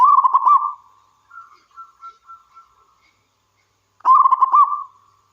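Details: Local wild zebra dove singing: a rapid, stuttered cooing phrase, then a string of four or five quiet, short, higher coos, then another loud pulsed phrase.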